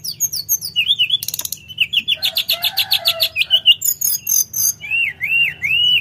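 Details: Sooty-headed bulbul in animated song, alternating high whistled phrases, a harsh buzzy burst, a long series of rhythmic chips, and closing repeated wavering whistles.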